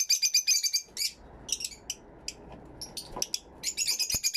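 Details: Aviary Fischer's lovebirds, recorded in stereo with two external microphones, chattering in quick shrill bursts of high notes, pausing between with scattered chirps and soft rustling, then a fresh burst of rapid chatter at the end.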